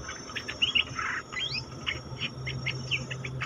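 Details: Captive cream-vented bulbul, caged, singing: a few bright whistled notes and one rising slur, then short chirps spaced through the phrase, with a low steady hum beneath.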